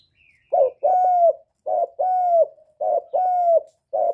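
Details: Cooing of a spotted dove, used to encourage newly kept birds: low soft notes in pairs, a short hoot followed by a longer falling one, repeated three times in quick succession.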